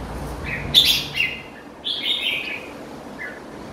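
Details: Kept red-whiskered bulbul giving a quick high chirp followed by a longer slurred, falling warble, then a brief soft note, over faint steady background noise.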